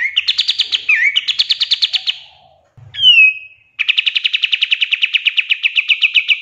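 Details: Pied triller in a songbird-training recording, full of rapid 'tembakan' bursts: a fast buzzy trill with a dip, a sharp falling whistle, then another long run of quick repeated notes.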